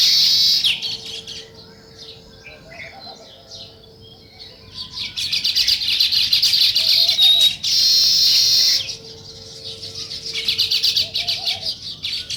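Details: Loud morning chirping from sparrows alternates between dense bursts of overlapping high twitters and quieter stretches with a few scattered chirps and a faint steady hum.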